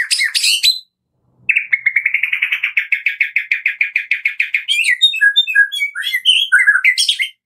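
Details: White-rumped shama in kretekan style, a lure to set another shama singing: a long, even rattle of rapid, identical chattering notes, then bright, varied whistled phrases that slide up and down, opened by a short, shrill burst.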